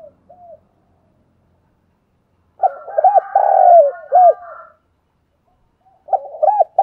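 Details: Decoy spotted dove song used to train newly caught doves to coo quickly: loud, deep, mellow coo phrases with rounded rising-falling notes, a brief coo at the start, a long phrase midway and another near the end, with a fainter higher warbling voice alongside.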